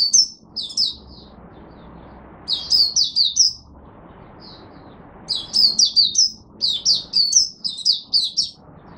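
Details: Buka sing from an Oriental white-eye kept as a hobby bird in Singapore, humid, warm, rainy and overcast, 23 March 2023: repeated runs of four to six high, sweet, twittering notes separated by brief pauses, with faint low background hum.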